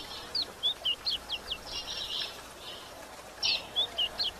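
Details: Female yellow-bellied seedeater chirping and calling to stimulate males: short, high, downslurred chirps in quick runs, a brief scratchy buzz in the middle, then another run of chirps, over a faint steady hiss.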